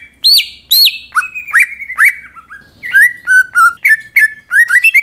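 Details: Greater green leafbird song played to spur other leafbirds into singing: two high swooping whistles open, then a run of clipped, rising chirps and flat whistled notes repeated in brisk succession.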